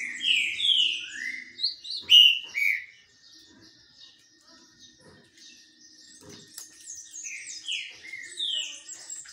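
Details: Green-winged saltator in song while sunbathing: a series of loud, slurred, downward whistles fills the first three seconds, and a softer phrase returns near the end.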